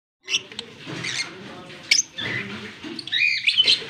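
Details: Fischer's lovebird paired with a blue personata lovebird, kissing, in Larkana, Sindh, on October 20, 2023; short shrill chirps and squeaks come in scattered bursts over soft rustling.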